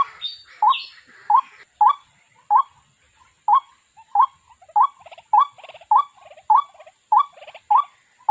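A waterhen gives short, rising, hollow notes about every half-second, with softer croaking, grating sounds between them.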